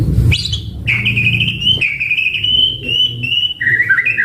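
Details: White-rumped shama singing in a lure and training recording: an upward flick, then a sustained, slightly wavering whistle held for about two seconds and a lower warbled ending, over low rumbling background noise.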